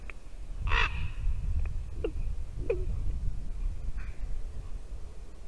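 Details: One loud, grating raven croak followed by soft knocking and short clucks, recorded at a white-tailed eagle nest in Latvia on a December morning in 2019 while the female eagle sat in the nest, with background rumble.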